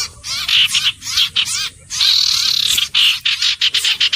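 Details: Common iora delivering short chattering bursts, then a sustained rising-and-falling trill lasting about a second, followed by more clipped, rapid notes.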